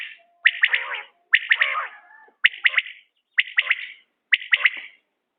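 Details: Rhythmic three-pulsed calls of a common quail, linked to quail hunting, repeating about every second, each phrase bright and clipped, with a single click partway through.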